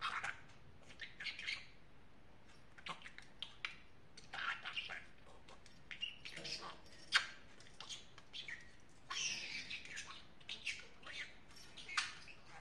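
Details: Pet talking parrot indoors producing long runs of scratchy, speech-like babble in short phrases with sharp squeaky peaks, almost continuous for twelve seconds, with a louder squawk near the middle.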